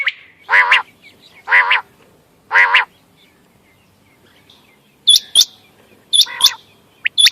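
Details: Quail calling for hunting, 14 May 2025: three rough, buzzy harmonic calls spaced a second apart, a pause, then sharp high hooked notes in pairs.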